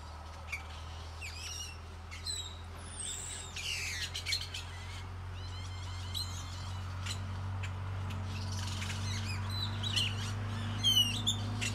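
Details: A chorus of many birds fills a tropical tree in Nayarit, Mexico. Quick high chirps, downslurred whistles and twittering notes overlap irregularly above a steady low droning hum.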